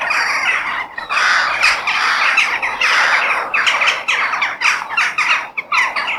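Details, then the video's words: Crow in a natural setting: a dense stream of coarse, grating caws, many overlapping and repeated rapidly, with a harsh chorus of further calls throughout. "The Sound of Crow In Nature"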